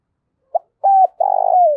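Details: Caged decoy spotted dove, 'thổ' voice, calling to lure wild doves. A brief soft pip, a level hooting note, then a long vibrating coo that slides downward at the end.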